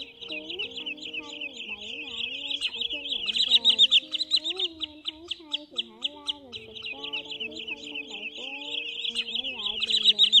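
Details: Night-netting lure of wood sandpiper calls, recorded October 2020: a continuous stream of fast high chip notes, swelling in loudness, layered over wavering low whistled tones.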